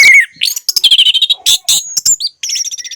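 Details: Energetic orange-headed thrush song for getting quiet birds to sing: dense, fast, varied phrases of whistles, buzzy trills and sharp chips run almost without pause, ending in a rapid high twitter.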